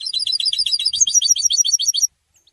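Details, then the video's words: European goldfinch song: a dense, two-second run of very high, rapidly repeated tinkling notes, loud and continuous, stopping abruptly. "super goldfinch singing"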